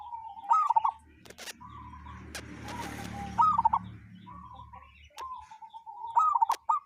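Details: Local wild zebra dove with a strange-sounding call: three phrases of fast, gurgling mid-pitched coos about three seconds apart, linked by level whistled tones, with sharp clicks and a burst of noise in between.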